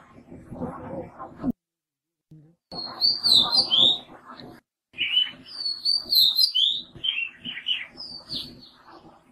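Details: Oriental magpie robin from a pair nesting in a balcony box; two bursts of varied, sweet whistled notes that rise and fall rapidly, separated by a short pause, over a steady low background rumble.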